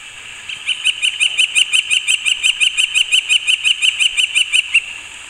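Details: Male Northern flicker drums on a basketball hoop in a local park on 2 July 2017, to claim territory and/or attract a mate: about twenty ringing, evenly spaced metallic taps, roughly five per second, over four seconds.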